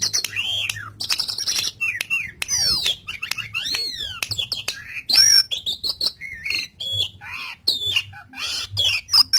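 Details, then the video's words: Asian pied starling song used to train a pet starling that has gone quiet: a varied medley of whistled slurs, rising and falling sweeps, harsh bursts and clicks, with a faint low hum throughout. "Masteran Suara Burung Jalak Suren Gacor"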